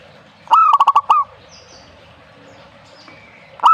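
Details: One full phrase of clipped, rhythmic cooing from a zebra dove, about six notes, then quiet before the next phrase begins.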